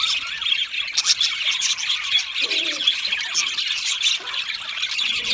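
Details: Budgerigars keep up constant high chirping and scratchy warbled chatter, with a few louder sharp squawks rising above the busy flock.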